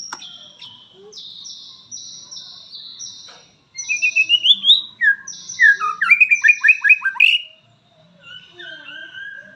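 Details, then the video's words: White-rumped shama singing in the lively, nonstop 'gacor' style: a run of clear high whistled notes, then quick rising slurs and a fast burst of downslurred trills, ending in softer scattered phrases. "suara burung murai auto gacor"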